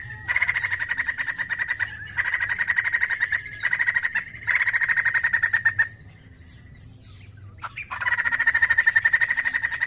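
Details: White-crested laughingthrush singing actively, used as a lure sound: long bursts of fast, evenly pulsed rattling notes on a steady pitch, broken by short pauses, with a low background hum.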